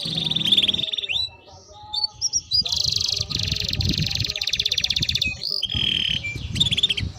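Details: Timbrado canary singing varied phrases: a short whistled note, sweeping chirps, then a dense buzzy trill lasting about three seconds and more rising and falling whistles, with some low background noise.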